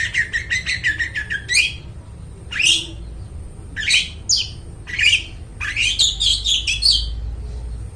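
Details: Song of a long-tailed shrike for luring and training mute shrikes; opens with a rapid rhythmic series of chirps, then rising, slurred harsh notes and a tumbling, chattering phrase over low hum.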